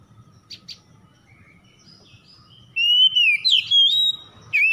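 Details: Morning-dew lure song of an oriental magpie-robin, meant to get stressed birds singing: faint high notes at first, then a loud run of rich whistles that swoop down and up, ending with a sharp high note.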